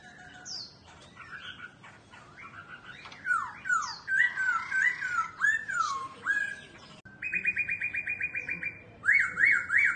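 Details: Laughingthrush kept as a cage bird, singing as it dances with its tail: varied loud slurred whistles and swooping phrases, then a fast even series of repeated notes and a final run of rising-falling whistles.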